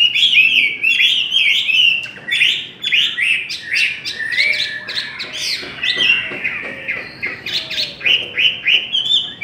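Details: Contest singing of the Chinese hwamei: a dense, fast stream of varied whistles and trills, loud and continuous, with notes sweeping up and down and a soft lower steady tone in the background.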